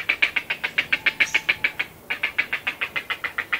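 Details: Well-grown Grey Heron chicks in the nest with adults, recorded close up, giving feeding calls: a steady run of short, clipped, rasping notes at about three or four per second, broken by one brief pause midway.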